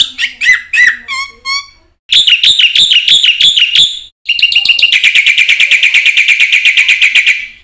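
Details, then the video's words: Black-winged myna in full varied song, used as a lure to train other mynas: harsh descending chatter, then a fast run of loud repeated buzzy notes, then a long rapid rattling trill about eight notes a second. "suara jalak putih gacor full isian ini pancingan masteran burung jalak bengong auto plong"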